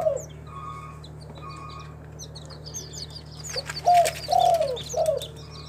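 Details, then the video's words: Spotted dove, a local tekukur from a kept collection in Timika, Papua. One three-note cooing phrase, with a longer falling middle note, comes near the end after a stretch of thin high chirps from other birds. "SUARA BURUNG TEKUKUR LOKAL, THE SOUND OF SPILOPELIA CHINENSIS"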